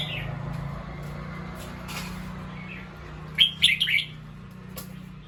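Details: Alert bulbul reacting to a sound it heard: after quiet background hum, a quick burst of three or four scratchy, rising chirps comes past the middle, with a few faint clicks around.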